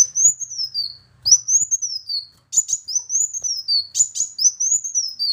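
A sunbird repeats very high, thin whistles that rise slightly and then slide down, about five in quick succession, broken by sharp ticking chips.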